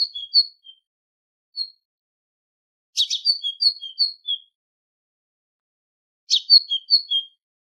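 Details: Short runs of high, thin tit notes alternating upper and lower pitch, each run starting with a buzzy rasp, spaced by quiet gaps. Recorded to train goldfinches, with a clean, quiet background.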